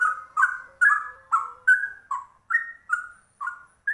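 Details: Rare yellow-vented bulbul (trucuk) singing a rapid ropel song in cucak rowo style: rich warbled double notes near mid pitch, sliding down or up, about every half second, with faint high ticks above.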